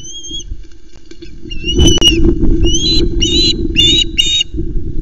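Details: At an osprey nest on the Loch Arkaig nest cam, around a fish delivery, an osprey gives thin, high whistled chirps, short upslurred notes in bursts of two to four, over heavy low wind rumble and rustling.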